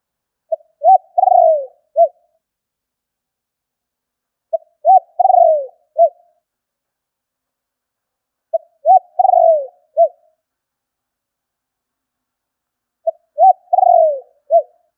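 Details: Spotted dove calling to lure birds, its low three-part coo phrase repeated four times at roughly four-second intervals, each ending in a falling drawn note, against total quiet.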